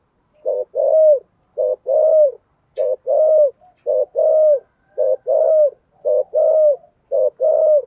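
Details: Spotted dove singing in the 'thổ sấm' voice style, in a rapid 'thúc gù' cooing. Low, hollow coos come in paired phrases, a short note and then a longer rolling one, repeated steadily about every 0.8 seconds.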